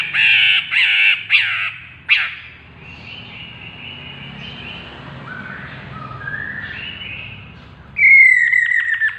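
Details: Chestnut-capped laughingthrush giving loud harsh squawks in quick succession, then quieter whistled notes, ending with a long falling whistle broken into rapid stutters.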